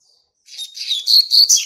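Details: Young brown male Double-collared Seedeater hatched March 2019, singing in territorial display: after a brief pause, a rapid, accelerating string of high whistled and buzzy notes grows steadily louder toward its end.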